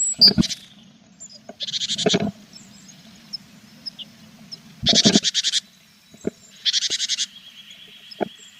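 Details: Tits at a nest box holding chicks, recorded in April: loud buzzy, rasping bursts of rapid pulses, each lasting about half a second, recur several times over a low steady hum; a thin whistled note sounds near the end.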